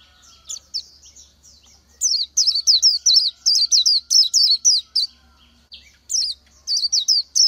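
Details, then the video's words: [3, 'Rapid twittering of an Oriental white-eye: soft scattered high notes lead into a quick run of bright downslurred whistles, a short pause, then another fast burst.'] "Chim hót hay Vành Khuyên họng vàng đông dương | นกแว่นตาขาวสีทอง| Oriental White-eye"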